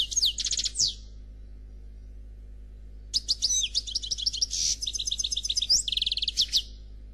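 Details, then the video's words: Noir Khalwi style song from a European goldfinch, sung without faults: a short burst of twittering notes, a pause, then a long lively stretch of high chirps, buzzy notes and rapid repeated trills, over a soft background hum. "Chardonneret Noir Khalwi Chant sans fautes"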